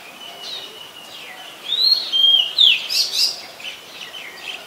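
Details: Oriental magpie-robin, a very common resident, in Ubon Ratchathani, Thailand, on 20 March 2022; clear whistled song of sweeping, rising and falling notes, louder in the middle, over a steady background hiss.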